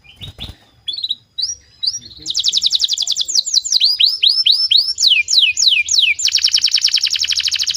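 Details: Canary singing to encourage other canaries to sing: a few brief notes, then a long, fast, high trill that breaks into repeated downward-sweeping whistles and ends in a dense, buzzy, sustained trill.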